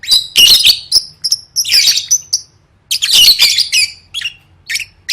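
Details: Caged lovebird singing, used as training audio for singing competitions: bursts of harsh, buzzy chattering mixed with short high whistled notes, in clustered phrases with brief pauses.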